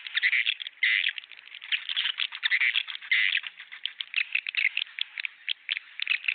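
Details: Swiftlets calling, a recording used to attract strange swiftlets to a new bird house: continuous buzzy twittering with harsh, rattling chirp bursts overlapping throughout, no other sounds.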